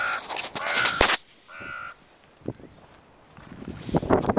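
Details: Crows in stormy weather, filmed in slow motion: a single harsh, drawn-out caw of about half a second with strong harmonics, set between loud gusty bursts of wind noise and rustling.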